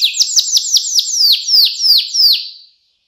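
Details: A canary sings clear 'cengkok mewah' master song for young canaries to copy: about eleven loud downslurred whistles, evenly spaced and slowing slightly, then silence.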